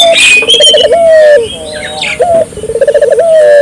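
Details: Lively Barbary dove call intended to trigger local doves: a short raised note, a bubbling rolled section and a long even low tone, given twice, with high thin whistles and chirps from other birds around it.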